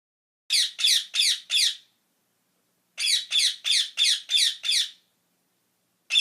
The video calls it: صوت الببغاء" _ Sound of parrot